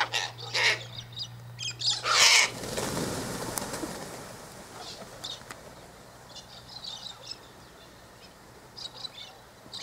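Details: Sulphur-crested cockatoos feeding at an eastern gate on sunflower seeds, wheat and birdseed tossed out for them; two loud bursts of harsh, broadband screeching in the first few seconds, then a quieter stretch with faint scattered chirps from other birds.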